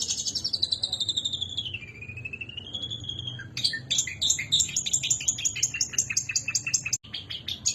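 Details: Long-tailed shrike singing, used as master song to train birds. Begins with long drawn whistles sliding down then up, then switches to rapid harsh, buzzy repeated notes; low hum underneath.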